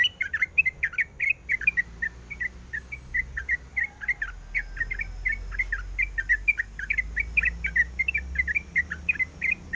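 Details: Female sooty-headed bulbul in breeding condition calling to the male: a fast, steady stream of short bubbly chirps, about five a second, each note dipping and rising, over a low background hum.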